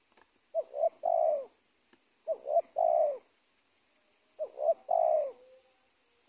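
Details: Wild spotted dove at the edge of a teak plantation on a former corn field, giving three cooing phrases, each of two short low notes followed by a longer drawn-out coo, with pauses between phrases.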